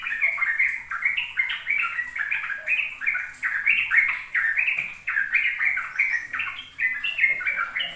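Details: Sooty-headed bulbul singing nonstop ropel song, intended to train young bulbuls: dense, fast bubbling notes repeated steadily for the whole stretch, warbling between lower and higher whistles.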